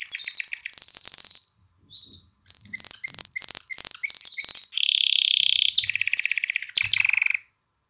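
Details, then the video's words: Canary song used to rouse females to breed and coax young birds into singing: varied phrases of quick high notes, a dense trill, a string of clear repeated whistles, then buzzy rolling trills at lower pitch. "تغريد كناري نار لتهييج الإناث على التزاوج وتحفيز الفراخ على التغريد"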